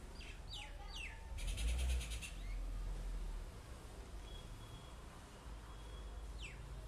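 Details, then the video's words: Common myna calling in a terrace garden, giving quick descending whistled sweeps, then a rapid grating rattle of tightly pulsed notes, and a last falling sweep later against low background hum. "Beautiful Chirping Sound Of Mynah|Mere Terrace Garden Me Mynah"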